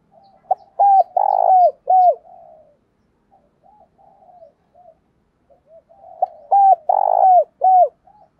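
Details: Spotted dove used as a decoy (cu mồi) to spur rivals into fast cooing, giọng thổ voice: two bursts of three rounded, arching coos, each with a drawn-out centre note, linked by soft low murmuring notes in a quiet setting.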